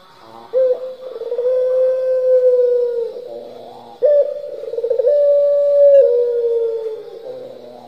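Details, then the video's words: Pelung-style turtle dove giving two full coo phrases about four seconds apart, each a rolling, pulsed start running into a long, sustained, slightly falling note. "puter pelung gacor nglocor"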